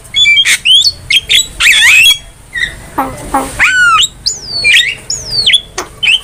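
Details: Master song of a Javan myna for training cage birds: harsh grating squawks alternate with clear whistles that swoop downward, delivered in uneven bursts.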